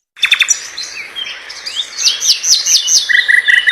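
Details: Common nightingale (Luscinia megarhynchos) singing a rapid, varied phrase: dry clicks, then bright high whistled slurs, ending in a quick run of repeated lower notes.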